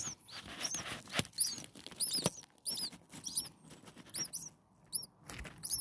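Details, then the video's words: Hungry common starling nestlings a few days old, six in the nest, uttering short high down-slurred squeaks scattered among clicks, taps and rustling movement. "Hungry Six Starling baby birds day 1 Nest 2"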